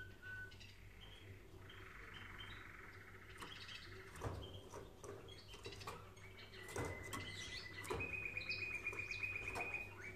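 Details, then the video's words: Training song of a canary: a brief whistle, a dense buzzy roll, then fast even trills on a steady pitch that jump higher near the end, over a constant low indoor hum and occasional taps. "Canary Singing Video | The Best Canary Training sound"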